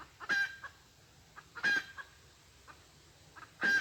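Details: Wild red junglefowl lured by a decoy in a hunting session dated 23 February 2022. Loud brief harsh calls with a steady tonal note recur about every one and a half seconds, with soft clucking notes in between.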